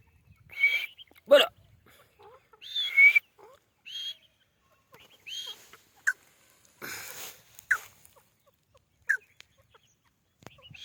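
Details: Grey francolin, called white teetar, giving irregular loud calls: ringing whistled notes and short harsh bursts spaced a second or two apart, with faint chirps between.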